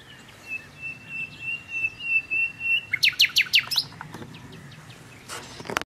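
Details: Common nightingale song. A series of pure whistled notes on one pitch swells in loudness, then breaks into a fast, loud run of sharp repeated notes, followed by scattered clicks and a brief high flourish over low background noise.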